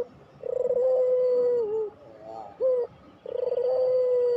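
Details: Puter dove in the long-cooing pelung style, used as a lure to stimulate quiet doves: a long, steady, low coo ending in a downward slur, a brief rising note, then another long coo begins.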